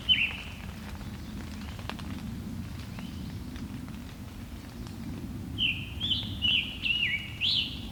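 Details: Scarlet Tanager in Allegheny National Forest, from a clearer earlier encounter, sings short, hoarse, burry phrases in a quick run, like a robin with a sore throat, over a steady low rumble.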